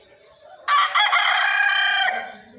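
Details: An Aseel rooster gives a single loud, harsh crow lasting about a second and a half, rich and brassy with a slight break partway through, over quiet background.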